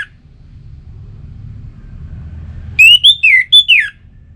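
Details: After near silence, an Orange-headed thrush bursts into a fast phrase of five or six loud, varied whistles, some rising, some sliding down, lasting about one second; song used to encourage kept birds to sing.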